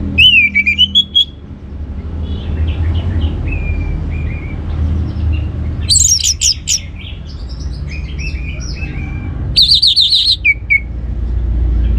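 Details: Song of the orange-headed thrush, played to stir other birds into song: a wavering whistle, softer rambling phrases, then loud bursts of sharp, high chattering notes over a constant low hum.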